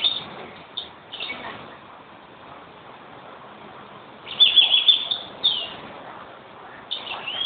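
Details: European greenfinch singing: bursts of high, rapid chirping twitters, quiet in the middle stretch and returning near the end, over a soft hiss of background noise.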